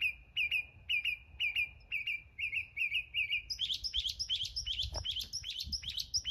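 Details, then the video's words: Mockingbird repeating a bright chirped note about eight times in a steady rhythm, then switching to a faster, higher series of twisting whistled notes, clean and loud over quiet background. "Songs of a mockingbird."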